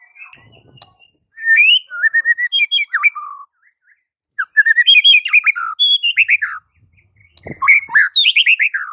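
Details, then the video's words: White-rumped shama master song for teaching silent birds: phrases of varied whistles and sharp chirps, rising and falling, separated by short pauses, with a faint thump near the end. "Murai Batu BISU seketika langsung TERPIKAT dengan MASTERAN murai batu ini"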